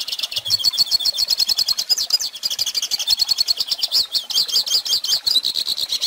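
A goldfinch sings a fast, unbroken run of bright, high twitters and tinkling trills, with liquid notes tumbling over each other for the whole passage.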